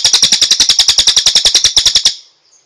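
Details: A single rapid cililin trill used for training songbirds: about twenty loud, regular pulses in two seconds, ending abruptly in silence.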